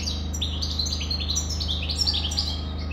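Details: Continuous bright goldfinch warble of tinkling, bubbling notes and fast chirps, fairly close and clear above a low background hum.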